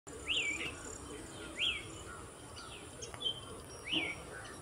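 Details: Oriental magpie-robin (Copsychus saularis) in Kerala singing clear, sweet whistled phrases that rise and fall, each a second or two apart, with softer notes between over a low rural hiss.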